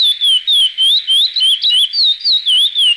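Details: Chestnut-bellied seed finch (curió) song recording, "praia clássico" style with raised song opening, meant for teaching young birds: clear, wavering whistled phrases, about three or four short rising-and-falling notes each second, bright and high.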